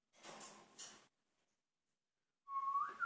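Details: African grey parrot mumbling in imitation of Dick Cheney's voice: about a second of soft, breathy, muttered noise, a silent pause, then a clear whistled note that holds steady and bends upward at the end.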